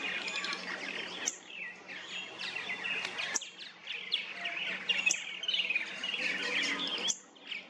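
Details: Backyard purple martin colony in St. Catharines, Ontario, Canada, nesting in plastic gourd houses: softer gurgling, twittering calls with rising and falling squeaky notes, interrupted by sharp clicks and knocks, faint hum behind.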